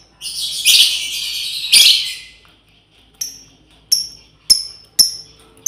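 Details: Female lovebird summoning companions: two long, rough, shrill screeches, then a run of five short piercing chirps spaced roughly half a second to a second apart.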